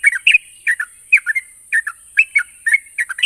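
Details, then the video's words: Yellow-vented bulbul song, played so that birds which have gone quiet will respond: paired and tripled bubbly chirps repeated in quick, uneven clusters, slurring down then up, backed by a steady high hiss. "Burung trucuk macet bunyi dan mandek pasti nyaut dengar suara burung trucuk ini"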